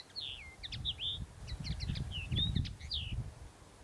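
A Common Linnet sings a rapid, twittering run of bright chirps, short trills and slurred notes, with low background rumble underneath.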